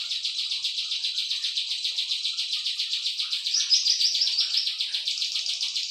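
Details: Cisaw song used as a tutor recording for training other songbirds: a continuous fast high-pitched buzzing trill, notes pulsing about four per second, briefly louder midway.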